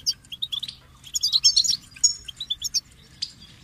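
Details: Goldfinch song starting with a series of separate chips that run into a fast, tinkling, slurred twitter, then trail off into scattered notes.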